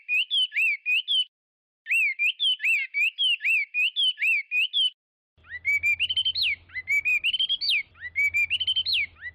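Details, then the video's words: Chinese hwamei delivering repeated bursts of wavering whistled notes, then longer rising phrases that climb and end in a sharp upward flick, with a faint low hum beneath. "تغريد طائر الخوامي Chinese Hwamei"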